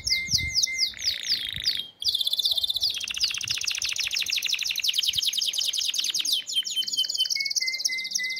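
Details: Canary singing to attract a female, with quick descending slurs, a low rattling section, then a long run of fast trills changing speed and pitch, closing on a thin steady whistle.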